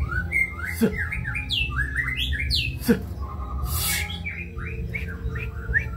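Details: Kebyok song from a white-rumped shama, with sweeping whistles swooping down and up in quick sequence, two sharp knocks, a brief harsh buzz and a run of short rising notes.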